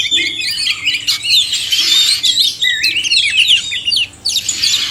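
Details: Male and female oriental magpie-robins singing a varied chorus of whistled slurs, quick trills and chattering notes, in continuous overlapping phrases with a brief quiet gap near the end.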